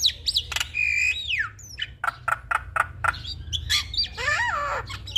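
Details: Javan myna singing energetically with a full repertoire for training other mynas: long level whistle sliding down, then clipped rhythmic notes about four per second, closing with a wavering harmonic phrase, low background hum throughout.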